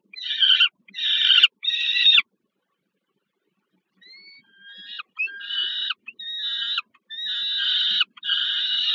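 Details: At the Żerań power plant nest in Warsaw, Poland, on 15 August 2022, Peregrine falcons call as food reaches a young bird: three rough screeches, a silent pause, then thin rising notes building into a long series of harsh wailing.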